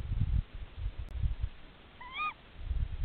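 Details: A tawny owl at its nest gives one brief, shrill call that rises slightly then drops, part of genuine contact calling between mates, over steady low rumbling from wind or handling.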